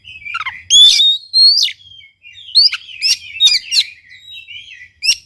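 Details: Master and lure song of the Oriental magpie-robin (kacer), aimed at stirring a silent bird to sing: loud, sustained whistles, rising and falling slurs, and quick chattered clicks in lively sequence.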